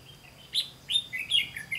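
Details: Red-whiskered bulbul heard during a trapping session on 18 September 2016, the trap failing to spring: four clear, slurred whistled notes in under two seconds, each rising sharply then dropping, over a quiet background.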